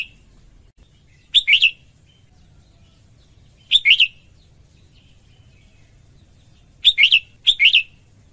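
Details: Singing female red-whiskered bulbul, meant to stimulate males: brief, sweet two- or three-note warbles separated by pauses of a few seconds, then two phrases in close succession. A quiet low hum continues throughout.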